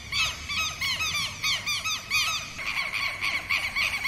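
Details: Southern lapwing giving its alarm against predators and intruders in its territory: loud, harsh, arched squawking notes repeated about six times per second in a clear rapid series, then a slightly busier stretch near the end.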